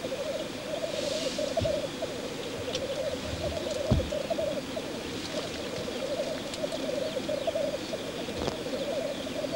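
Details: Displaying black grouse on a lek, their low gurgling bubbling chorus flowing unbroken for nearly ten seconds, overlapping phrases rising and falling, with occasional faint ticks.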